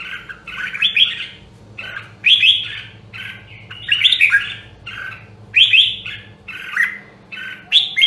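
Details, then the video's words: A rare red-whiskered bulbul from Nam Đông, Huë, in voice training, sings repeated loud warbled bursts every second or so, mixing fluty rising notes and slightly harsh squawky tones, with a low continuous hum behind. "Luyện giọng Chào Mào Nam Đông Huế Hàng Hiếm Còn Sót Lại ! giọng cực chất"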